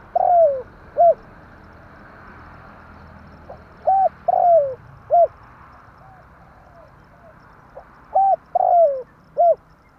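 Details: Spotted dove lure call for trapping birds in tarik akar style: three phrases, each a short coo, a long falling coo and an arched coo, with faint coos between them and a constant hiss behind.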